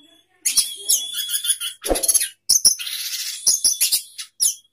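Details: Orange-headed thrush singing in sapu jagat style while opening its tail, after tuning reached intense locked-in singing: dense high chattering and twittering phrases broken by brief gaps, with a short lower rasp near the middle.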